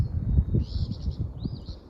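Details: Phoebe singing its two-part, burry "phoebe" song right in front of the listener outdoors, a rough buzz then a quick rising note, with heavy low wind rumble and outdoor noise underneath.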